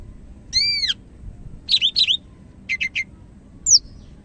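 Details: Greater green leafbird (cak ijo), Medan type, singing actively: an arched whistled note, a pair of quick rising slurs, three short clipped notes, then a falling whistle, phrases spaced by short pauses over faint low hum.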